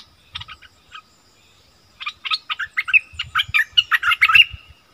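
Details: Wild striated bulbuls arguing fiercely: a few short bubbly notes, a pause, then a rapid run of loud, chirpy, warbled notes with harsh rattling bursts, like birds answering each other back and forth.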